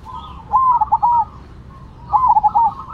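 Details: Two zebra doves (perkutut), Cemani versus Silver, singing actively: two short bursts of gentle, trilling coos, each a rapid broken run of soft notes, with quieter cooing and low hum behind.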